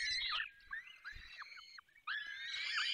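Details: Falcons at the nest during feeding in Poland's Barycz Valley; a squealing burst, quieter short bent notes with faint low thumps, a brief silence, then loud overlapping wails again.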